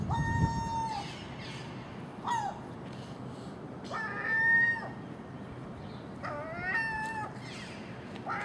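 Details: Common gulls making a racket over food from garbage set out at night, early morning, with magpie and crow present; separated, level mewing calls, some clipped short, others long and rising at the end, low rumble beneath.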